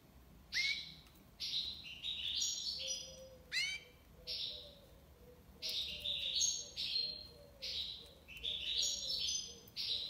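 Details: European goldfinch from Algiers, Algeria, singing tiwawati: a steep cascade of rising slurs followed by repeated high buzzy twittering phrases, with faint low hum underneath.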